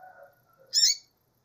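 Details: One brief, strident, high buzzy call from a female double-collared seedeater, preceded by faint low hum-like tones.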